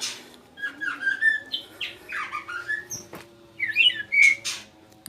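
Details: Caged male white-rumped shama singing actively after a sauna session: varied whistled and warbled phrases, rising and falling slurs with short buzzy notes, a bright sustained whistle near the end, in a small room.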